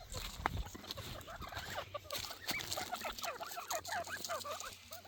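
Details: Several grey francolin birds give dense, overlapping series of quick, ringing, up-and-down notes that rattle on almost without pause, with scattered clicks and a low background hum.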